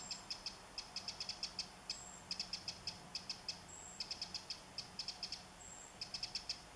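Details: Eurasian wren on 27 July 2014, bringing food to its young, gives rapid clusters of hard, high clicking ticks, tightly grouped in runs of two to five. Thin grasshopper hisses come and go higher up.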